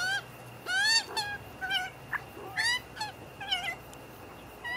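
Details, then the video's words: Magpie family feeding together after a squabble in which adults got annoyed with the young ones; harsh, nasal, wavering calls with rising and falling slurs, several voices overlapping in bursts about a second apart. "Magpie family eat after fight making funny sounds"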